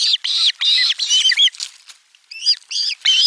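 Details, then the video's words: Shrill drawn-out screams from osprey chicks as a fish reaches their nest, Finland, 18 July 2022; long wavering high cries in quick succession, a brief lull, then more strident squeals. "Kala otetaan vastaan äänekkäästi kuorossa kiljuen"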